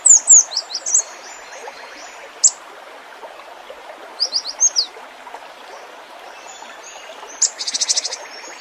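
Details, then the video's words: Cinereous tit song of high down-slurred chirps in several short bursts, ending with a rapid buzzy trill of repeated notes, partly masked by loud rushing water. "Suara gelatik batu full isian"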